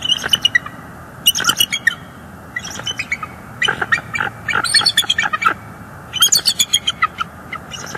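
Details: Bald eagles on a northeast Florida nest cam, December 2022, with juveniles being chased from the area: repeated runs of high, piping chatter mixed with harsher squealing notes, continuing for several seconds with short breaks.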